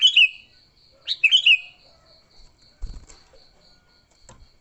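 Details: Sooty-headed bulbul in fighting mode, used to lure other bulbuls: short bursts of bright, bubbly chirping notes falling in pitch, two phrases about a second apart, over a steady high insect-like whine and a low thump.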